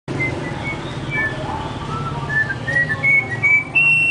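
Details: Orange-backed troupial whistling the national anthem: clear, fluted notes in several short rising and falling phrases, over a steady low engine-like hum.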